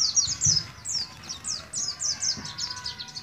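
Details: Short burst from a young Oriental white-eye of Moga, Pemalang, Central Java, learning ngalas ngeroll style. High, fast, downslurred chirps follow one another in a chattering run, with some low background rumble.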